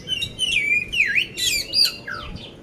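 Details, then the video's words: Poci oriental magpie-robin in Magelang, Central Java, Indonesia, readied for contests, giving a short burst of loud rough-filled song: wavering whistles, a swooping V-shaped slur and sharp metallic chips in quick succession. "poci gacor isian kasar"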